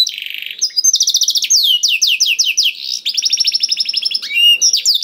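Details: Canary song meant to prompt a silent bird: a buzzy opening note, then long series of rapid repeated high notes and trills in several tempos, ending with sweeping whistles.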